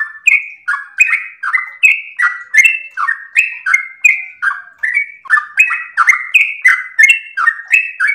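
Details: Rapid, long-breathed song of a sooty-headed bulbul, used as a master and lure recording for other birds: a steady run of short, clear chirped phrases alternating higher and lower notes, about three per second.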